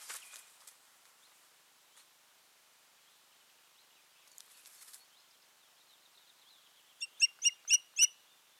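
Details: Osprey pair at the nest, 14 June 2019; mostly quiet with light rustles, then a short, fast burst of five sharp whistled pipes at the very end.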